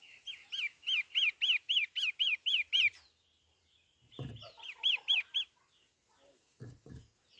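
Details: Long-tailed shrike, pentet matahari type, in vigorous song: a rapid series of harsh high chattering notes, a pause, then another burst mixed with low thumping knocks, and more knocks near the end.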